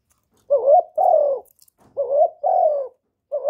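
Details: Spotted dove giving lure coos, clean recording: two deep two-part phrases, a rising warble then a longer mellow coo that falls away, a faint tick between them.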